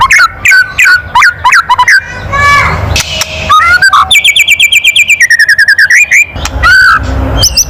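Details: White-rumped shama giving a loud kretekan call meant to provoke other birds: rapid bursts of sharp, clicking, downslurred notes, then a long fast chattering series of clipped whistles, ending in rising slurs.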